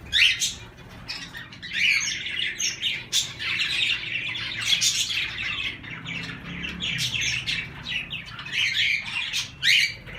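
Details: Mixed cage birds (cockatiels, budgerigars, a canary and zebra finches) keep up a busy stream of chirps, squawks and chattering calls.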